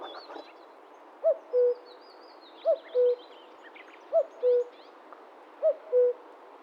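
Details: Common Cuckoo (Cuculus canorus) recorded in the wild: four clear two-note 'cu-coo' calls, a higher first note dropping to a lower held second note, repeated about every one and a half seconds, with faint high twittering of other birds behind.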